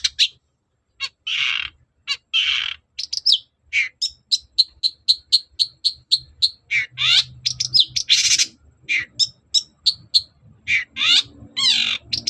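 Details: Long-tailed shrike singing energetically, used as a lure to provoke other shrikes into replying: scratchy bursts, then a long run of sharp high whistled notes repeated several times a second, with harsh rasping phrases mixed in.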